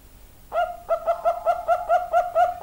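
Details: Zebra dove of the Bangkok type singing in the hura hura style: after a short silence, a quick run of about nine short, clipped coos, evenly spaced and falling slightly at each end, clear against a quiet background.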